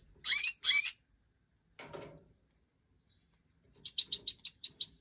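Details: Goldfinch Major chicks, five fledglings recently out of the nest in a 2024 aviary breeding, being fed by the hen: short high squeaky notes in quick runs, then a rapid series of sharp chirps, with a brief rustling noise between.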